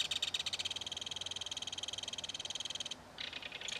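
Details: Chatter between a belted kingfisher parent and chick at their mud-bank nest as fish is delivered: fast, evenly pulsed buzzy rattle for about three seconds, a short break, then renewed harsher chattering.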